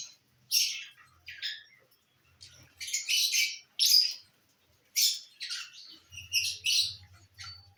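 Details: Lovebirds eating corn on the cob, giving harsh, broadband chirps and squawks in short bursts, some clustered, with quiet gaps between; faint low hum in places.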